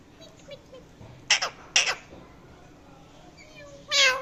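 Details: Indian ringneck parakeet, a talking pet parrot, gives two short harsh squawks close together, then a longer louder raspy squawk at the end, with quiet room noise between.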